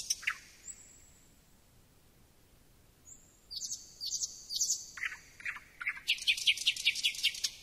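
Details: Singing thrush nightingale: high thin whistles, then a harsh clicking passage that builds into a fast, loud rattling series of staccato notes.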